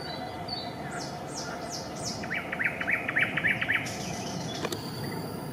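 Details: At Raszyn ponds, Warsaw, Poland, on 4 May 2024, a Eurasian coot family with chicks at its nest; after some high descending whistles from other birds, a fast series of six clipped notes follows, then a sharp click.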